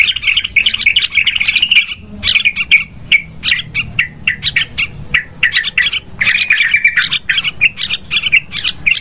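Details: Yellow-vented bulbul call used as a lure for trapping birds, described as very noisy: dense, rapid chattering bursts of bright notes, repeated without pause and scattered across the whole clip.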